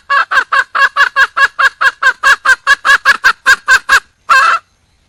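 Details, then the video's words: Wild junglefowl hen calling for a partner: a rapid, regular series of about seventeen short, hoarse, clucking notes, roughly three a second, ending after a brief pause in one longer, rougher call. "le bruit d'une poule sauvage,เสียงไก่ป่าร้องหาถู่หาตัวผู้,ສຽງໄກ່ປ່າຮ້ອງຫາຄູ່ຮັກ, poj qaib qus see"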